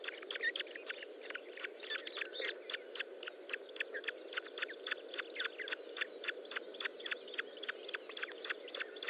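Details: Ospreys at a nest during feeding, 25 June 2012 at 10:58, give rapid, sharp whistled chirps repeated several times a second, high-pitched and insistent, over a steady low hum.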